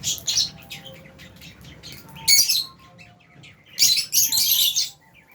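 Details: Albino and Fisher's lovebirds in a cage chirping in loud, dense high-pitched bursts of rapid twittering, with quieter scattered chirps in between and a faint hum underneath.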